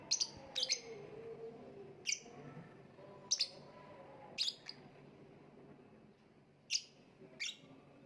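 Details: Lovebird calling with sharp, piercing high chirps, single or paired, repeated irregularly roughly every second, about ten notes in eight seconds, against faint low rumbling background noise.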